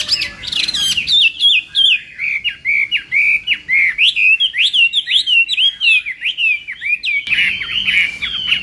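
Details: Chinese hwamei singing its morning fighting song to train its voice, a long, energetic sequence of varied whistled phrases and quick slurs, roughly two notes a second, with a sudden louder section near the end.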